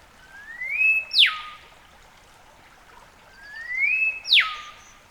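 Olive Whistler giving two phrases about three seconds apart: a long rising whistle, then a loud, sharp downward whip.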